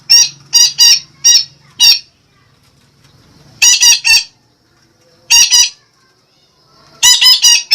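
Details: Sumatran red-breasted parakeet lure call used to attract birds: loud, raspy squawks delivered in rapid runs of three to four, separated by silent pauses of one to two seconds.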